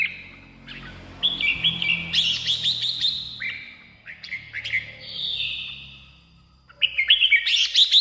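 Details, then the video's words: Red-whiskered bulbul singing, a recording meant for decoying or exciting birds: repeated chattering whistled phrases, each rising into a bright jumbled flourish, separated by short pauses, with faint low rumble beneath. "เสียงนกกรงหัวจุก สำหรับต่อ หรือ เปิดให้นกคึก เสียงเพราะๆ"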